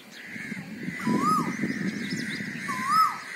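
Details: An Asian koel, said to be a calling male, gives two clear whistled notes, each rising then dropping, about two seconds apart, over a steady high insect-like drone and faint chirps from other birds.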